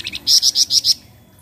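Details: Lure song of an untrained Flamboyan meant to set other birds singing: two soft short notes, then five loud, harsh, high chirps about a tenth of a second apart, ending abruptly.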